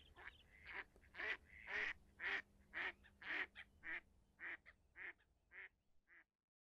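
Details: Leucistic red-throated diver giving a regular series of short, hoarse quacking notes, about two per second, fading toward the end.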